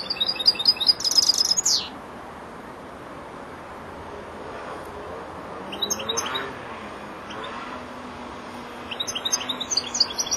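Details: Four-month-old European goldfinch learning to finish its song gives a loud twittering burst ending in a harsh buzzy slur, then long quiet stretches with two brief scratchy twitter fragments.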